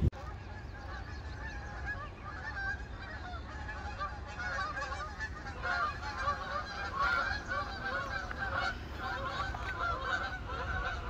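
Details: Canada geese migrating in long V and I flying formations, a dense chorus of overlapping nasal honks from many birds throughout, swelling louder toward the middle and end.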